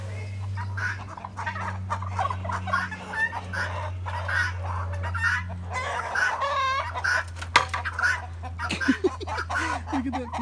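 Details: In December, turkeys alarmed by a hawk trapped in their netting puff up and give a run of sharp, clucking alarm notes, with a burst of quick rising calls near the end, over a steady low mechanical hum.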